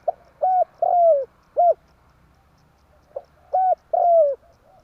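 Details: Trapping lure from a spotted dove in tarik akar style: two phrases of short level coos and a long coo that slides down, each followed by a single extra note.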